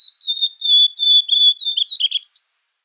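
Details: Blue-black grosbeak (azulão, twa twa montagne), clean high whistled notes strung in a level phrase, each slightly sliding, breaking at the end into a quick jumbled warble; quiet background.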